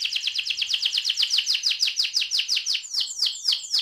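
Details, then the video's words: An AF-type canary performs a rolling song, an even trill of repeated descending notes about five per second, slowing into wider swooping notes near the end; faint low background noise. "kenari AF ngerol"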